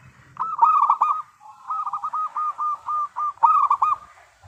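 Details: Lively zebra dove of a local strain singing, its song meant as a lure to set other doves calling. A rapid run of short rolling coo notes, paused, then another quick run, all at an even mid pitch in quiet surroundings.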